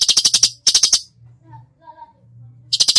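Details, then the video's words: Cucak cungkok singing in full, lively 'tembakan' style: bursts of harsh, rapid clicking rattles, each a string of about six dry ticks. A short quiet gap in the middle holds faint low tones. "masteran cucak cungkok gacor full tembakan"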